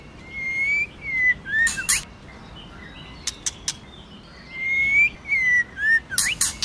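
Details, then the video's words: Female White-rumped shama singing in the wild-forest style to stimulate a male: long clear whistles rising and falling, each followed by short downslurred notes and harsh broadband rasping bursts, with scattered dry clicks between phrases. "CHOÈ LỬA MÁI KÍCH TRỐNG//choè lửa mái hót giọng rừng"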